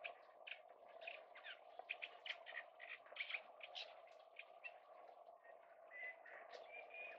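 Oystercatcher giving a quick, uneven run of sharp, high piping notes, several each second, over a steady low rush of wind or surf.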